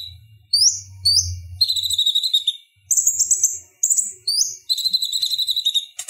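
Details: Konin, the purple-throated sunbird, singing for songbird masters: high rising flicked notes and thin rattled trills in a lively sequence, with a faint low hum underneath early on.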